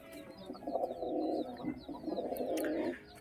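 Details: Domestic pigeons indoors give low, throaty rolling coos in two long bursts, with soft scattered chirps above.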